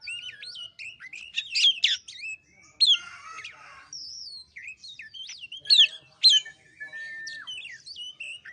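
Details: White-rumped shama singing as a lure recording for an unwilling singer, mixing clear whistles, long drawn notes, buzzy harsh passages and sharp upward slurs in a rich, unbroken sequence.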